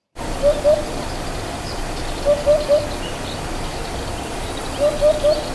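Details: Hoopoe calling from a tree in Menorca in May 2025, breeding season, volume amplified: soft, low, hollow triple hoots 'oop-oop-oop' repeated about every two seconds over a steady background hiss.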